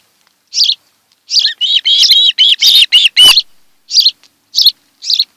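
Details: Osprey pair's nest on Kent Island, Maryland, afternoon camera recording, 26 July 2018; isolated sharp chirps around an excited run of longer, wavering whistled yelps, with possible wing flaps.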